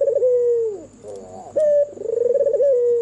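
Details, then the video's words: Red-eyed albino Barbary dove in white plumage cooing at night, a song said to draw out silent doves: a held tone gliding down, brief soft warble, then a sharp bright note and a quavering coo. "SUARA MERDU BURUNG PUTER PUTIH MATA MERAH MANGGUNG DIMALAM HARI"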